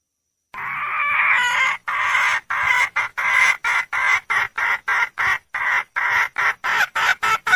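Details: Red junglefowl hen seeking a male: a sustained, harsh opening note, then roughly seventeen clipped, raspy notes repeated steadily, about two each second.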